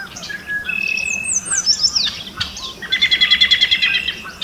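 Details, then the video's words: Yellow warbler in Alberta, Canada, hidden among fresh green spring leaves, singing a bright, high series of sweet whistled and slurred notes ending in a quick run of rapid chips, against a quiet background. "YELLOW WARBLER SINGING"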